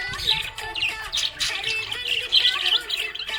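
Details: A happy pet budgerigar chatters in a rapid, scratchy warble of high chirps and squeaks, with faint tones possibly from music in the background.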